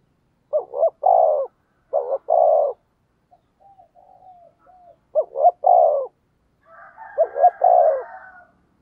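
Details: Spotted dove kept as a decoy, cooing in the 'thúc gù' manner to stir rivals into answering: several deep, short-short-long coo phrases, with faint soft coos in a gap and a last phrase overlapping a fainter cooing bird.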